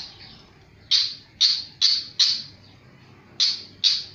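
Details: Flycatcher singing very actively, giving loud, bright, harsh chirps in separate bursts, a pair near one second and three more in quick succession, then a pause and two final chirps, over a faint low hum.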